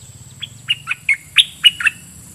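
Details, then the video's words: Decoy red-whiskered bulbul in a cage calling out to wild birds, giving a short phrase of six bubbly, slurred whistles that rise and fall, each note distinct. "Suara merbah lekir"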